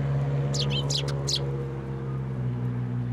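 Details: Sparrows flying to a feeder in a plum tree at a Tenmangu shrine, 10 July 2024; a quick burst of four or five high, harsh chirps in the first second and a half over a steady low engine-like hum.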